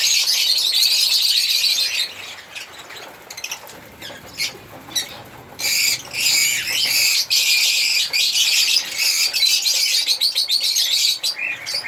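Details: African lovebirds chirping and singing, a continuous high shrill chatter broken by sharp clicking squeaks and short quiet gaps.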